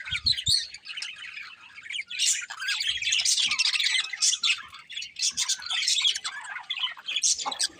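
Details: Budgerigars, a breeding pair, chatter almost without pause: quick, high, scratchy chirps and warbled twitters with occasional harsher squawk-like notes, rising in intensity after the opening seconds.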